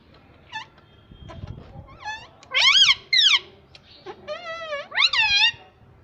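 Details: Pet parrot, said to talk in Hindi saying mummy: loud harmonic squawks and warbling, wavering cries rising and falling in pitch in short bursts, with softer clicks and faint low rumble between.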